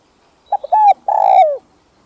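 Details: A captive spotted dove coos low and soft: two quick clipped notes, then two longer hoarse coos, the last sliding downward, with no other sounds.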